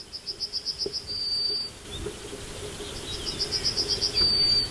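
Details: Yellowhammer song from a field recorder in pasture farmland, given twice: a quick run of about seven short, high, thin notes ending in a long drawn-out wheezy note, over a faint low hum.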